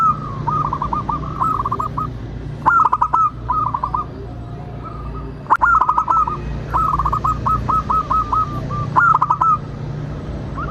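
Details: Local zebra dove used as a lure to make other zebra doves sing and answer: repeated rapid bursts of short, staccato rolling coo notes in quick phrases, with occasional sharp clicking sounds between phrases.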